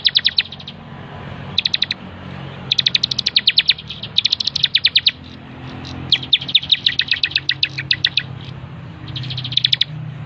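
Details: Bar-winged prinia song used as a master recording for training birds: short bursts of quick, high, rattling chirps separated by brief pauses over ten seconds, one longer trill in the middle.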